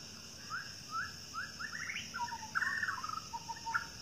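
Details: White-rumped shama of the Medan type, wild in forest, singing: spaced upward-sweeping notes about every half second building into quick chattering runs and short trills, steady insect hum beneath.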